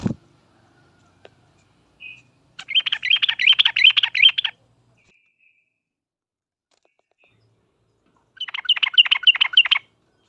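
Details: Yellow-vented bulbul giving a sharp, rapid rolling phrase to make other birds answer: two fast chattering bursts of about two seconds each, separated by a long silence.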